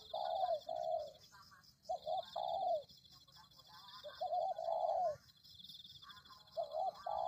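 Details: Spotted dove lure sound: soft low coo phrases, each a quick double note leading into a longer falling coo, repeated in roughly four bursts with quiet gaps, under a steady high-pitched hum.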